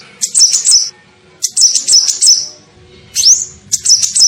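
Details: High, rapid twittering from a sunbird known as kolibri ninja, played as a lure to attract birds: three chattering bursts and one rising whistled sweep, with short gaps between phrases.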